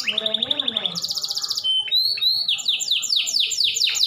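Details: Singing canary, played to encourage other canaries to answer: a quick rattling trill, then a high buzzy roll and a series of descending whistled notes about four per second.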